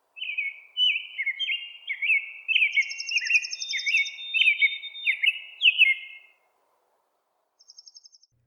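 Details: Male American Robin singing in early morning in spring: quick runs of clear, rising-and-falling whistled phrases, about two a second. A thin, higher buzzy trill from another bird joins briefly.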